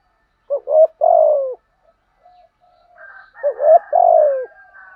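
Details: Caged decoy spotted dove cooing to attract wild birds: two loud low phrases, each a quick hooked note leading into a longer falling coo, separated by a faint murmur and some softer higher wavering notes before the second.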